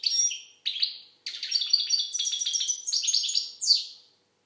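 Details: High, rapid twittering from an Algerian goldfinch, building from two short opening bursts into a long continuous jumble of tinkling and buzzy notes that ends with a falling slur.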